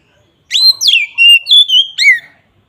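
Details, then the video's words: Loud whistled phrase from an Oriental magpie-robin in the ngeplong style used for luring: rising note, downward glide, sustained level whistle, then a wavering note and a closing slur. "suara BURUNG KACER NGEPLONG sangat ampuh untuk pancingan kacer"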